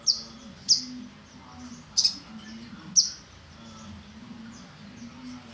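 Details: Olive-backed sunbird, known locally as sogon trotol, giving four short, sharp, very high chirps spaced irregularly across a few seconds, with faint low background hum and otherwise quiet surroundings.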